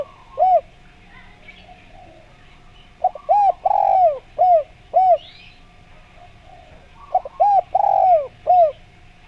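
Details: Spotted dove calling to provoke replies from other doves: a single coo, then two phrases of quick paired coos, a long sliding note and a final coo, with faint chirps from other birds.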